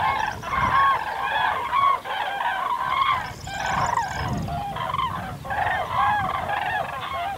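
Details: Common crane (Grus grus) calls: many loud, trumpeting, rolling notes overlap continuously with harmonics, suggesting a flock calling together, with low rumbling background noise throughout.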